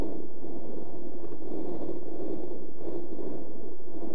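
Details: Steady low-pitched rumbling noise like a passing vehicle or wind, with no animal voice heard throughout.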